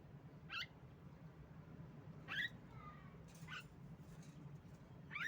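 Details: Female Javan myna, a lure to make silent mynas sing, utters four harsh, grating squawks at uneven intervals, one followed by a faint whistled note, over a steady low hum.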